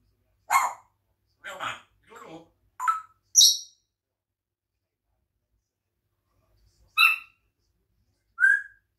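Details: African grey parrot looking out a window and eating grapes, chatting in a mix of rough squawks, short whistles and clipped speech-like sounds, several in quick succession, then a pause and two more whistled notes.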